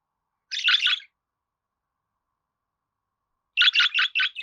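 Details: Budgerigar producing two quick runs of rapid, stuttering chirps, about three seconds apart, with silence between.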